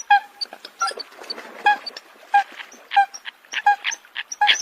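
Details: Coot uttering brief, tinny, high honks spaced unevenly, with a faint hiss beneath and scattered softer clicks.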